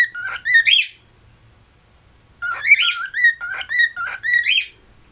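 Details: Pet cockatiels in West Newton, Pennsylvania, one attempting to whistle: bursts of warbling whistled phrases, wavering notes climbing then dropping, a short run followed by a pause and a longer series of repeated chirpy whistles.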